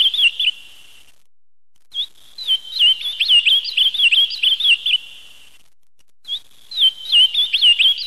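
Ultramarine grosbeak singing a rapid warbled phrase of clear, bouncing whistles, given in bursts of about three seconds with brief pauses; no other sounds.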